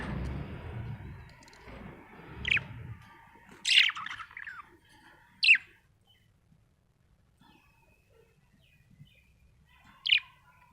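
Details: A happy budgie gives a few sparse, sharp high chirps spread over the recording, with low rumbling noise at the start and long quiet gaps between calls.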